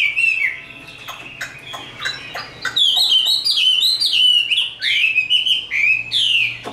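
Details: Fighting song from a tame caged Chinese hwamei: sparse clicks and short notes at first, then a fast, loud burst of repeated sharp upslurred whistles roughly three per second.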